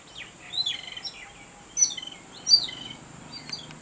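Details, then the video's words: Excited babbler on seeing a cat: a few short, scratchy high chirps and squeaks in separate bursts, over a steady high-pitched whine. "EXCITED BABBLER BIRD"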